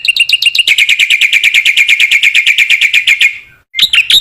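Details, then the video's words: Black-winged myna song, offered as lure material to get other mynas singing: a long, steady, rapid train of bright, metallic notes that fades out, then a fresh burst of chirps after a short gap. "MASTERAN BURUNG JALAK PUTIH GACOR"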